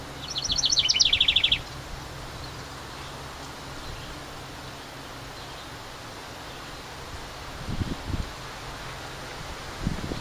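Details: Summer house wren nesting in a ceramic birdhouse beside the main cabin gives a short, fast burst of high twittering notes at the start, followed by quiet outdoor background and a few low rustles.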